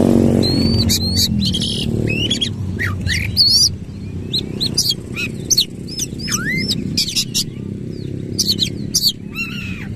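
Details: Oriental magpie-robin with tail opened, singing hard in 'nembak ngerol' style: rapid scratchy bursts and swooping whistled slurs, several dipping then rising, over a steady low droning hum throughout.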